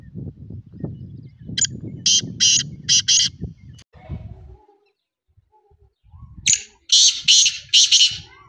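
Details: Black francolin calling in two harsh, rasping phrases of four or five clipped notes each, separated by a quiet pause, over a low rumbling background.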